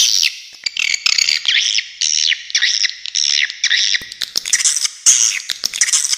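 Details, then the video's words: High, wavering, buzzy swiftlet twitters that rise and fall in short repeated phrases, mixed with frequent crisp clicks and a few brief quieter moments. "Suara Walet Original"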